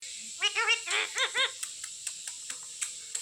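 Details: Trained Indian ringneck (Alexander) parakeet kept indoors, talking: five high, harmonic speech-like syllables in quick pairs, then soft clicks and faint taps in a small room.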